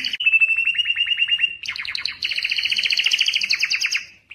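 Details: Male canary singing to stir females for breeding: rapid trilled phrases around mid-high pitch, a fast even rattle, then a pause and a second, denser trill with higher overtones running steadily for several seconds.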